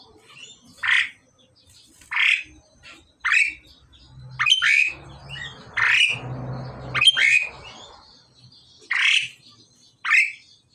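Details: During pairing, a male and female pied myna give repeated harsh squawks roughly every second, each rising steeply, while a noisy rustling and low hum fill the middle section.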